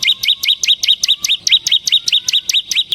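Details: Bar-winged prinia (ciblek semi), a lure and master-song bird, producing a steady string of bright, slightly rising and falling high notes, roughly thirteen in three seconds.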